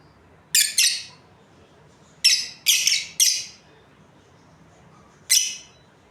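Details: Shrill chirps from a breeding pair of Australian lovebirds, heard as a doubled note, then a tight group of three, then one final call after a gap.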